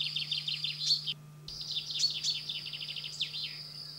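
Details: Common chaffinch (Fringilla coelebs) in France sings bright, high trills of quick repeated notes, running down in pitch and ending in a flourish, repeated several times, with a low steady hum underneath.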